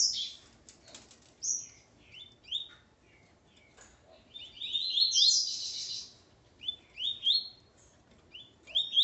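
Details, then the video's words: Caged male Coleiro with his female, song style Ponto 50; scattered whistles, then a dense rising run of slurred notes, followed by further short upward whistles. "Coleiro Ponto 50 e sua Fêmea Calibre 40."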